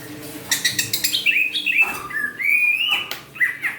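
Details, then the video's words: Caged greater green leafbird from Kalimantan singing again after recovering from Newcastle disease: rapid clicking notes, then clear slurred whistles falling and rising, a long drawn whistle and a short final phrase, with steady low hum behind. "Cak Ijo Kalimantan Bunyi lagi setelah Kena Tetelo"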